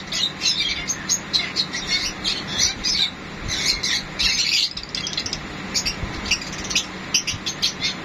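Sun conures chatter in fast, harsh chirps and squeaky bursts while mating.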